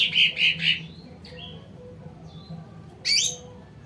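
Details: Sumatran cucak ranting, sung to attract wild birds: three loud chirps open, then soft thin whistles and a short bright burst near the end.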